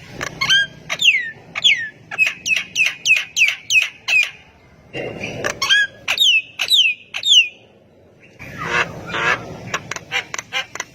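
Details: Javan myna singing hard to get other mynas to join in: series of piercing descending whistles and clipped chirps in fast runs, broken by harsh, rasping squawks and short pauses.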